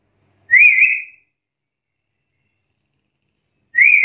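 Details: Black-capped lory calling boldly to challenge rivals: a single shrill, harsh whistle with a slight wavering rise, then silence until a second identical note begins at the very end.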